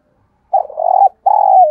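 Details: Lure coo of a spotted dove meant to call in wild birds: after a brief silence, a long rolling, throaty phrase and a second, falling one, both loud and close.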